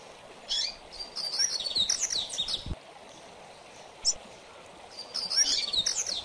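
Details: Mateiro song style from a double-collared seedeater: a short high buzzy note, then a long fast run of chirps and slurred whistles, one lone chip, and another rapid phrase starting, over steady hiss.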